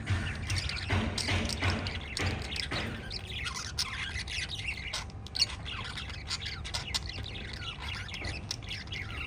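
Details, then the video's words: Five playful lovebirds of a parrot family: rapid harsh chirps and squeaks overlapping in a busy chorus, with soft low thumps early on and a steady hum. "Five Little Lovebirds Chirping Sounds"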